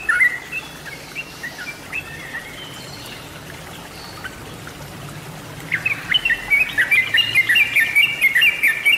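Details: Sooty-headed bulbul lure recording: faint scattered whistled notes for five seconds, then a loud, dense burst of bubbly, chattering, up-and-down whistles from several overlapping voices to the end.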